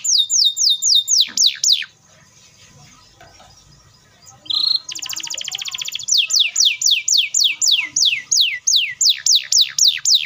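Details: Singing canary giving a long, rapid roll used to provoke other canaries into song: runs of steep, high falling whistles about four per second, then a pause, a buzzy rattle, and a long closely spaced sweep series.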